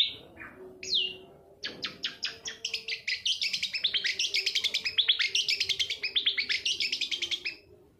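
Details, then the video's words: Long-tailed shrike lure song meant to prompt reluctant shrikes to sing: a few separate whistled notes, then a long quick series of repeated sharp high chips, several per second, fading at the end over a soft low hum. "suara panncingan cendet agar bunyi dan gacor"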